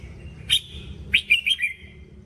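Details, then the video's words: Red-whiskered bulbul training song: a bright rising note, then a quick run of four chirpy whistled notes and a short slurred ending, over steady low rumbling background noise. "Luyện giọng chào mào"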